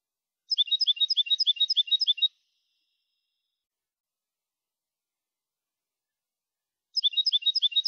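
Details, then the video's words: Contest-style clean song of a European goldfinch, 'copia' type, Málaga 2020, for training young birds: a rapid, even trill of paired high notes, about three per second, lasting nearly two seconds, then a long pause before the trill resumes. "Nuevo canto del jilguero"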